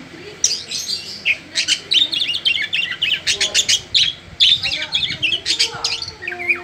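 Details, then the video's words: Oriental magpie-robin in energetic song, intended as a trigger to set other magpie-robins singing. Quick repeated chirps and buzzy twittering notes come in tight bursts over constant background hiss. "Suara Asli Kacer, Picu Kacer Bahan Cepat Respon Ikut Gacor Ngegas"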